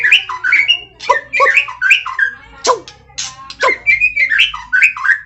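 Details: White-rumped shama singing vigorously with full fills: loud rich phrases of varied warbled and slurred notes, some dropping steeply, delivered in bursts about every half second with brief gaps, against a faint low hum.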